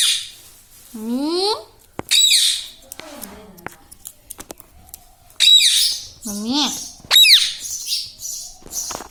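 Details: ['Pet parrot indoors saying words such as mummy and papa: rising, harmonic speech-like phrases alternate with sharp, high squawks and screechy bursts, with quiet pauses between.']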